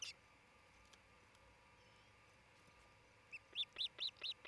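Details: Osprey calling at the nest in Charlo, Montana, captured by a nest cam on 27 June 2018 around midday: after near-quiet, a rapid, evenly spaced train of about eight shrill whistled cheeps.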